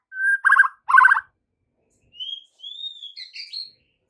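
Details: White-rumped shama afternoon lure song meant to coax juvenile shamas into replying: a clear whistle and two buzzy trilled bursts, a pause, then high thin slurred whistles rising and falling.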